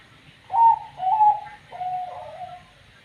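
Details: Zebra dove (perkutut) of the 'banyu mili' katuranggan type, described as having a strange voice: three mellow cooing notes, the first two higher and bright, the third lower and drawn out with a soft trailing tail, over a quiet low hum.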